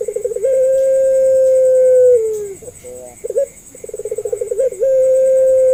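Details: Barbary dove of the pelung type calling as a training lure for doves slow to call; a long flat drawn-out coo ending in a downward slide, a pause of warbled notes, a fast rolling burble, then another sustained coo, with a steady high electronic whine.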